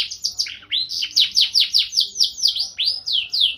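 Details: Gacor canary singing in the cengkok mewah style: a fast, continuous roll of high, sweeping, downslurred notes repeated about four times a second, with a few brief buzzy trills and faint low background hum.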